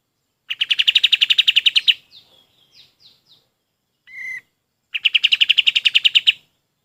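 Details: Golden-bellied gerygone song used to train other birds: a quick rattling series of high whistled notes, a few soft thin chirps, and a brief flat tone, followed by another rapid high trill.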